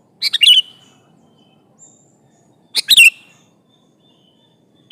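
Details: Lively sooty-headed bulbul calling an opponent: two bubbly phrases of quick notes ending in a slurred, downward whistle, about two and a half seconds apart, a third starting at the end.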